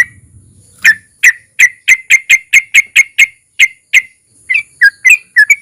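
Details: Sooty-headed bulbul song, long ropel with narung, as a lure for other bulbuls; a brief low hum gives way to an even series of clear whistled notes, then a few lower varied notes.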